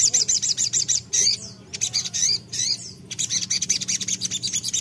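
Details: Shrill, rapid chattering from a crimson sunbird in full song calling a rival. Quick repeated high chips are broken by short swooping notes, then resume as a steady rattling series.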